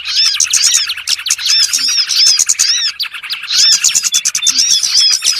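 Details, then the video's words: Bird lure call used for trapping, the burcil call: dense, continuous high chirping and rapid twittering with many overlapping sharp upslurred and downslurred notes, loud throughout with brief dips. "SUARA PIKAT BURUNG BURCIL ANDALAN SANGAT AMPUH"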